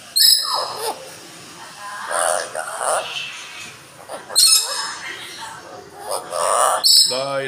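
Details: A talking Amazon parrot repeats the Islamic declaration of faith ("La ilaha illallah...") in raspy, high-pitched bursts with brief pauses, ending with a short squawk.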